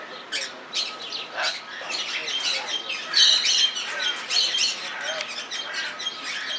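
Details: Blue-and-yellow macaw in Belgrade Zoo, Serbia, recorded in February 2022: a busy run of harsh, raspy squawks and short chattering notes, several bursts each second, with a few brighter squeals in the middle.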